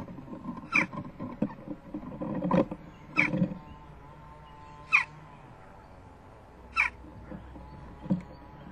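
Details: A begging young western jackdaw (Coloeus monedula) at a nest-box camera on 12 June 2015 at 11:19, the day it fledged, gives short, sharp, squeaky calls about every one to two seconds over a low, steady background rumble.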